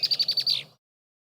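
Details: A female red-winged blackbird gives her harsh, aggressive song, used to drive another female from her territory: a quick run of six high, sharp chattering notes, about ten a second, ending in a longer buzzy note.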